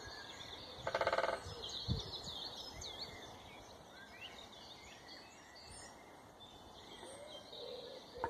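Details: Woodpecker knocking amid birdsong: a short, fast drum roll early on, a single dull thud, then faint whistled songs of other birds, and a second drum burst starting at the very end.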